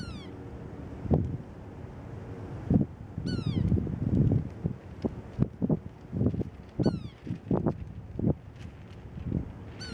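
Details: A sapsucker (a woodpecker; possibly a young bird) calls at daybreak in cold, windy weather, very vocal: a nasal, descending, cat-like mew about every three seconds, over louder low thumps and rumbling wind noise.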